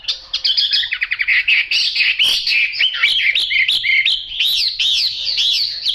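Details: Singing Chinese hwamei, yellow-billed and yellow-legged: a run of rapid staccato notes leads into loud, varied whistled phrases with swooping slurs and dense, overlapping warbling.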